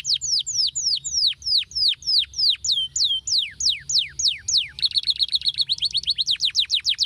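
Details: Male canary song used to restart singing in stalled canaries: a run of loud, sharply falling whistled notes, each well spaced, then a fast buzzy trill with quick downslurs.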